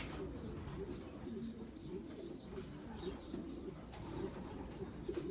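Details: Racing pigeons of champion long-distance lines give a soft, continuous low cooing chorus, with faint higher chirps and low rumbling background noise.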